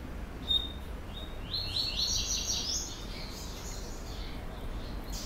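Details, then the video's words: Double-collared seedeater, a captive bird from a Brazilian breeding aviary, giving a procurador-type song. It opens with one thin note, then a jumbled, high buzzy phrase over steady low background hum. "COLEIRO PROCURADOR"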